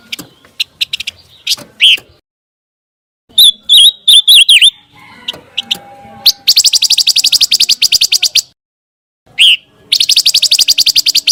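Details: Scarlet minivet, used to tutor a contest white-rumped shama: scattered chips, then six quick looping whistles, followed by a long rapid rattling chatter, a pause and more chattering.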